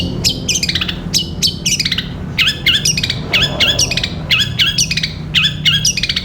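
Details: Long-tailed shrike (cendet) singing long and vigorously in the 'gereja petir' style, used for tutoring other birds: rapid bursts of harsh, chattering, harmonic notes with quick rising and falling inflections, in short phrases separated by brief gaps, over a low steady hum.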